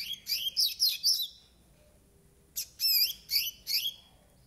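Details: Young Double-collared seedeater, nine months old and still in brown plumage, singing two short bursts of about four bright, high chirping notes each, with quick upslurred whistles, separated by a brief pause.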